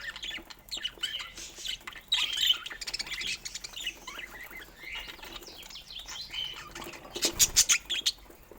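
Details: Pet budgerigars chattering with fast, irregular chirps, plus a burst of wing flutter and clatter near the end.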